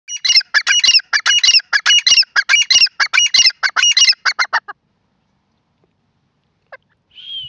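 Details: Grey francolin (gora teetar) calling in a fast, loud run of harsh, high, paired notes, about a dozen couplets in under five seconds, then quiet with a brief faint squeak and whistle at the end.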